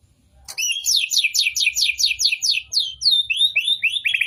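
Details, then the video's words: Magpie-robin in full song at a bird contest pole, caged and singing at length. After a sharp onset comes a rapid, evenly spaced run of high buzzy notes, then a series of bright downslurred whistles. A faint low rumble sits beneath. "Burung MURAI GACOR bocor materi di gantangan durasi PANJANG"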